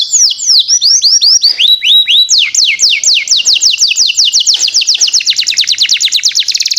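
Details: Canary lure song used to prompt young canaries to start singing: loud, high, rapid series of downward-sweeping whistled notes, then a fast, even trill of quick repeated chips that speeds up toward the end.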